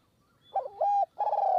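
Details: Spotted dove calling from a perch in high forest near Kanchanaburi, Thailand, at a decoy-luring session. A rising, wavering opening coo, a clear level note, then a long buzzy coo that runs to the end.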